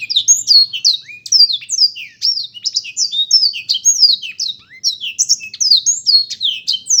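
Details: Black-throated canary singing a fast, unbroken stream of high, clear whistled notes, rising and falling slurs and short chips tumbling together in lively varied phrases, with a quiet background.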